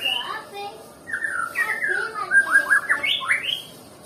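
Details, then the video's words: White-rumped shama of the Nias type, a bird said to be reluctant to sing, giving a run of clear whistled phrases: slurred notes sweeping down and up in varied bursts, some rising sharply at the end, with faint background hiss. "Murai batu yg males bunyi"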